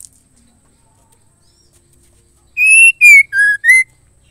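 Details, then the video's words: Female white-rumped shama calling to stir males into singing: after near silence, four loud, strained whistled notes in about a second, a steady one, a falling one, a lower flat one, then a short upward note. "MURAI BETINA MEMANGGIL JANTAN"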